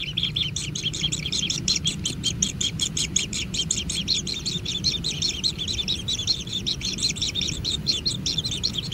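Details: Nestling kingfishers at a natural nest beg as food arrives, giving fast, harsh, high-pitched chirps in a continuous chattering run against low background noise.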